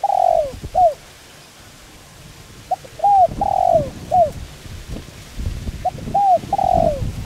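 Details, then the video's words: Spotted dove calling coo played to lure and train birds: repeated soft phrases of a brief introductory note, curved coos and a long sliding coo, three phrases in the span, with low background rustle. "Cu gáy Gáy Gọi giọng sát bổi kích mồi tập bổi hiệu quả/kích bổi nhanh gáy"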